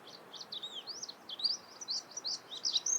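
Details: Soft, somewhat distant warbling white-eye: thin, high, looping and sliding notes strung together irregularly over steady background hiss.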